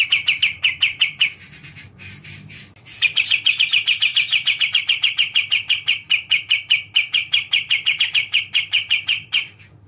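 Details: Kapas tembak, or sooty-capped bulbul, a kept songbird, gives a few quick chirps and then a quieter rustling pause. A long steady burst of fast, ringing, high-pitched chirps follows, running for several seconds.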